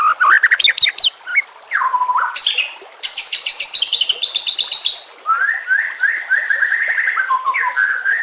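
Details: White-rumped shama used as training master audio with nature sounds and water; sharp high notes and a dropping whistle lead into harsh buzzy high bursts, then a steady series of rising chirps.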